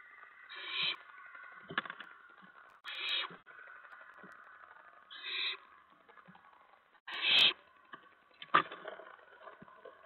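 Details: Owlets pounce about in their nest at night, 1:55 to 2:04 AM on 10 September 2017, as parents bring mice. Harsh, broadband hissing screeches repeat every two to three seconds, with a sharp click and faint rustling between them.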